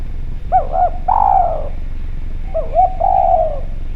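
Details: Spotted dove calling clearly for use as a lure: the phrase is given twice, each a pair of short bouncy coos then one long falling coo, about two seconds apart, over low hum.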